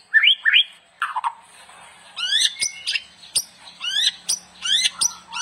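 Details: White-rumped shama, a gacor bird used as a master song for training, singing bright rising whistles followed by rapid sweeping up-slurred notes repeated in quick bursts, with sharp clicks between phrases.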